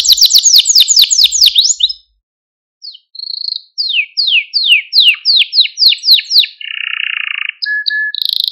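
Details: Singing male Maltese canary, used to stimulate other canaries and train young singers: a quick high trill, a second of quiet, then a row of separate downslurred notes about two per second, followed by a buzzy lower tour and short whistles.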